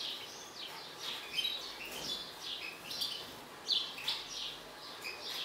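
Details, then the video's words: A mutant European goldfinch, said to be agitated, delivers busy high twittering with short slurred chirps and a few sharper notes, continuing without pause. "حسون طفرة هائج"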